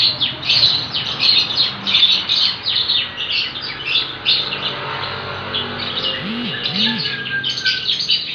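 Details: Lovebird chick giving ngekek chatter: dense, rapid high chirps and squeaky notes run together in long bursts, with a faint low hum beneath.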